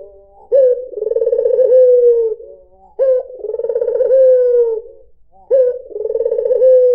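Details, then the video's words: Melodious cooing of a white Barbary dove meant to draw in other birds: three phrases, each a crisp start, a vibrating trill and a drawn-out falling coo, separated by short pauses. "PANCINGAN SUARA BURUNG PUTER PUTIH || SUARA BURUNG PUTER MERDU"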